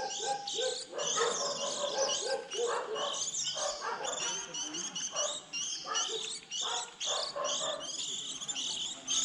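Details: Young white-eyes early in the 2020 season, used as a trapping lure when fledglings leave the nest in April: a loud, crowded flurry of high chirps and lower rasping notes with no pauses.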